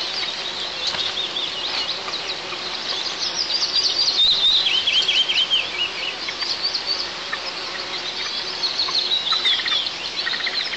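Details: An eagle at a nest 20 m up a pine in southeast Tatarstan, filmed by nest camera on 1 July 2024 as the male brings a live ground squirrel, gives thin, high, slurred whistles over steady hiss.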